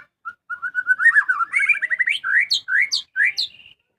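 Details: Pet white-rumped shama singing eagerly at home: a few spaced whistles quicken into a rolling, rising warble, followed by loud, high downward-sweeping whistles repeated about three times.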